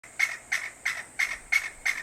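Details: Chinese bamboo partridge (Bambusicola thoracicus), call.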